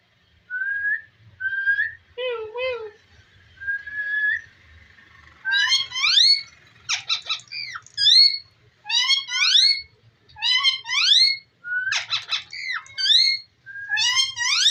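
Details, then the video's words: Pet talking ringneck parrot in a small room, giving a run of bright high chirps: a few level whistles and a wavering low note first, then quick clusters of upswept squeaks repeated about every second. "Talking parrot so cute"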